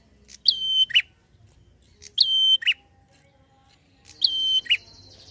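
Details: Prinia singing vigorously in a rapid drawn-out 'ngalun' pattern to provoke other prinias. Three phrases, each a thin level whistle between a sharp tick and a buzzy lower burst, repeated near every two seconds.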